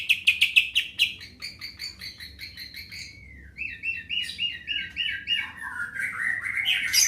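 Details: Greater green leafbird in lively song: a burst of fast repeated chips, then varied whistled notes sliding between high and mid pitch, ending in rising squeaky phrases; faint low hum beneath.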